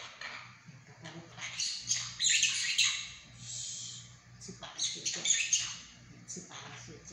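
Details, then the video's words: Indoor monk parakeet kept as a pet rattles off rapid, harsh, high-pitched mimicked words in uneven bursts, loudest in the middle, with a low background hum. "說話合輯〈和尚鸚鵡第3集〉。Talking Compilation〈 Monk parakeet Episode 3〉"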